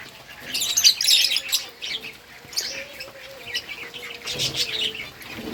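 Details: Several lovebirds eating green food chatter with irregular high, squeaky chirps, loudest near the start and again later, over a faint low tonal hum.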